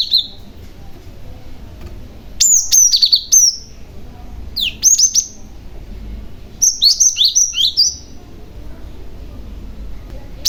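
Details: Cinereous Tit, young male, sounding its lure call to get other tits to answer: three bursts of rapid, high, slurred chirps spaced a couple of seconds apart.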